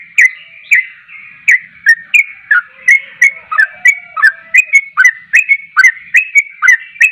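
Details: Trucuk (yellow-vented bulbul) in persistent song: a steady stream of short, sharp whistles with clicky onsets, speeding up to about three per second, with faint lower whistles in the middle.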